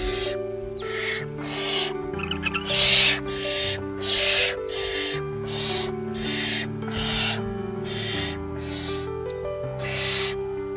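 Barn owl chicks give harsh, breathy hisses, each about half a second long, repeated steadily almost every second, over soft background music.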